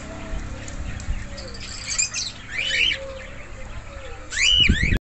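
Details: Cockatiel parrots calling with short bright chirps and sweeping whistled notes. A burst comes near two seconds, and a louder, layered rising-and-falling call comes near the end, over low rumbling background noise and faint clatter.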